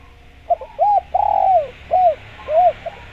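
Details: Spotted dove in full voice, used as a decoy to attract wild doves. Mellow arched coos in a rhythmic phrase: short notes, one long sliding coo, then further short rounded coos.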